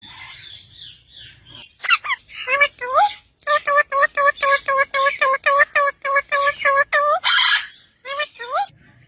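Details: Parrot giving a rapid run of harsh, nasal, harmonic-rich calls with upward-hooked endings, about four per second and fairly even, after a few scattered chirps; a louder scratchy burst near the end, then two more hooked calls.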